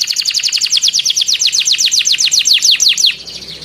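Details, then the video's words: Vigorous canary song in the long-roll, tight-burst style: a steady run of quick descending slurred notes, about eight each second, for three seconds, then it stops abruptly. "KENARI GACOR NGEROLL PANJANG TEMBAKAN RAPAT"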